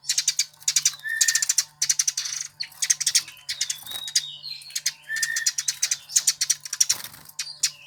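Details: A Eurasian tree sparrow, prized by songbird hobbyists in Indonesia, delivers a long series of rapid chirp bursts, each about half a second long, with brief whistled notes in between. A low electrical hum runs underneath.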